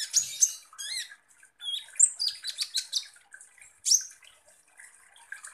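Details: Kolibri ninja sunbird singing actively, used as a lure to provoke other birds: very high, fast twittering with sharp chirps, short trills and down-slurred notes in bursts separated by brief pauses.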